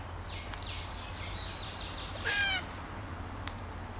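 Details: A single short, grating cry from a red-tailed black cockatoo rises out of soft outdoor ambience with faint high chirps from other birds.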